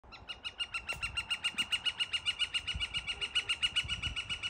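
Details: Northern flicker in Fish Creek Provincial Park, Alberta, April 2023, gives a long, steady run of loud, sharp notes, about five or six per second, evenly pitched and unbroken for several seconds.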